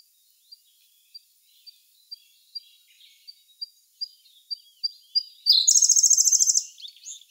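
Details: Siberian blue robin singing, May 2021, filmed with a Sony A1: a long run of about a dozen high, sharp notes that speed up and strengthen, then a loud, rapid, rattling trill.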